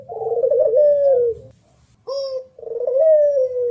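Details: Local Barbary dove (puter pelung) competition singing, clearly recorded as a tutor track: a mid-pitched, rolling, purring coo sliding slightly downward, a short sharp note after a brief pause, then another long rolling coo.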